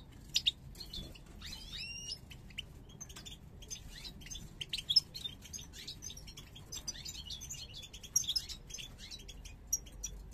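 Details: Parva goldfinch pair from 2022 entering breeding condition with snake-like head posture; dense, rapid high twittering with buzzy rising and falling notes and sharp clicks throughout.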